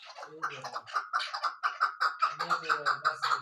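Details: A female chukar partridge gives a run of harsh, clucking notes, several per second and steady in pitch, with a low hum behind them. Chukar partridge.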